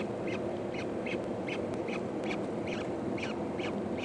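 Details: Four peregrine falcon eyasses beg their mother for food at a feeding, 14 May 2012: short harsh calls repeat about twice a second over a steady loud background hiss and hum.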